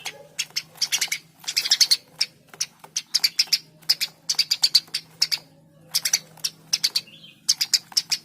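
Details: Eurasian tree sparrow in gacor form: repeated groups of sharp, clipped chirps, three to six notes per group, over a steady faint low hum.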